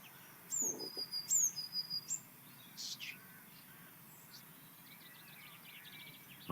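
Blue tit song: twice, a thin very high note runs into a lower, slightly buzzy trill. Quick and urgent-sounding, with faint chirps from other birds afterward.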